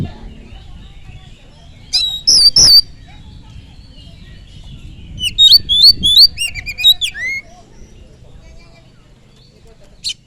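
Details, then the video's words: Oriental magpie-robin lure song for provoking other birds: two harsh notes early, then after a quiet spell a two-second series of whistled, slurred notes. A faint click comes near the end over soft background hiss. "Pancingan kacer full durasi || SEKALI PANCING BURUNG ANDA LANGSUNG PANAS"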